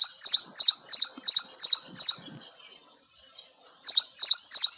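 Ashy Prinia giving rapid, high chirping notes, about three per second, in a steady series with a brief pause midway.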